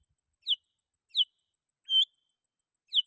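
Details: Lure song of a Sooty-headed bulbul calling rivals: four crisp whistled notes, mostly brief downward slurs, one flatter and longer, spaced roughly every three-quarters of a second over a silent background.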